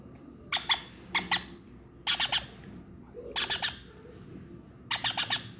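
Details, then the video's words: Conure chick making sound while being hand-fed: harsh, raspy squawks in quick bursts of two or three, repeating about every second, over a quiet indoor background. "conure chick makes sound while feeding"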